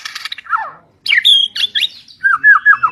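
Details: White-rumped shama, white form from the mountains of East Kalimantan, Borneo, delivering a harsh buzzy note, a descending slur, then loud sweet whistles and a rolling run of slurred notes.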